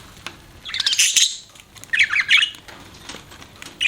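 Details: Pet budgies: two rapid bursts of high, scratchy chirping and twittering chatter about a second apart, with soft clicks between them.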